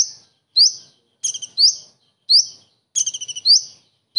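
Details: Common iora delivering kingfisher-style imitations: lone rising slurred whistles alternate with two bursts of fast chattering notes that run into the same upward sweep. Sharp and high-pitched.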